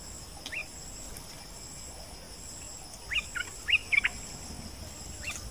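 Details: Wild bulbul in forest during the breeding season, lured near dusk: a short run of clear, bright chirping notes, rising and falling, clustered over about a second, over a steady hum of insects.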